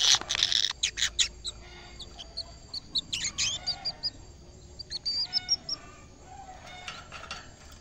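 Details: Caged canary, said to be singing energetically on first seeing a camera: harsh buzzy bursts open, then high whistled notes and quick rattling trills in short spurts with brief pauses, a final burst of buzzy notes near the end.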